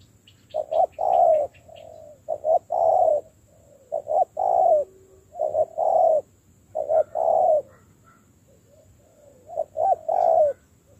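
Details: Decoy spotted dove being trained, cooing phrases of two brief notes then a long coo, with soft low coos in the gaps and a few faint high chirps near the start.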